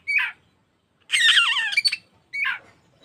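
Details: Oriental magpie-robin, a caged-bird training lure meant to make birds open their tails and sing more vigorously: three harsh, squawky phrases, the middle one longer, with rough descending notes and a brief pause between each.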